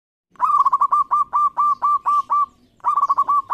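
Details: Local zebra dove singing vigorously in an audition: a mid-pitched cooing phrase of quick stuttered notes followed by a run of longer, evenly spaced coos, then a fresh stuttering phrase starting after a short pause.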